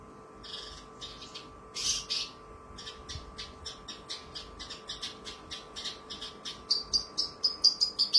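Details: A Javan bush lark, recorded as a tutor song with clear, crystal vocals that mimic tree sparrow and long lovebird trills, sings rapid, high chips and buzzy notes about twice a second, ending in sharp, thin whistles, over an electrical hum.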